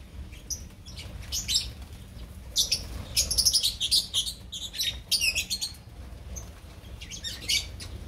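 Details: Opaline lovebirds chattering as a colony, quick runs of high squeaky chirps from several birds, densest in the middle, over a faint low hum.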